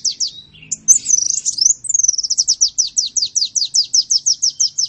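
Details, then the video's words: High sunbird song used to train other songbirds: a few sharp notes and a twittering flourish, followed by a steady run of around eighteen crisp downslurred chips, evenly spaced. "Masteran burung Kolibri"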